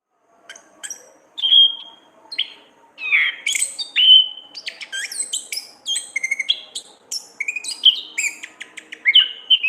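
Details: Caged orange-headed thrush singing lively training song: scattered notes at first, then a dense fast stream of sharp chips, trills and slurred whistles, with much variety and rapid mimic-like changes.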